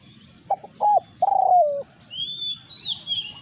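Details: A resident wild spotted dove challenges a lure bird. It gives a phrase of two short, sharp coos and a drawn-out coo that tails downward. Another bird then sings a long, high, slurred whistle.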